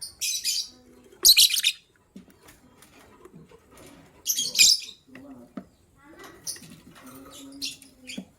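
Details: Gray and yellow-green lovebirds chirping in the morning, the gray one ready to lay eggs; harsh, screechy high bursts come in loose clusters, with softer squeaks and chatter filling the gaps.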